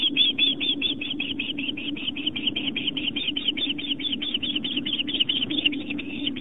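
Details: Osprey family at a camera-watched nest on Long Island, New York, September 11, 2007, late afternoon, during a fish delivery; long, fast run of sharp whistled chirps, roughly five per second, with constant low electrical hum beneath.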